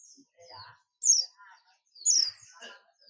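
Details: Buxtomi-type Oriental white-eye calling to its companions (ngalas): two sharp, high, falling chirps a second apart, mixed with low human talk and faint twittering.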